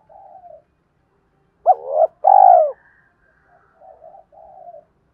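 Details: Spotted dove, played to lure birds: soft low coos, then one loud phrase of a rising hoot and a rich rolling coo, followed by gentle murmured coo notes.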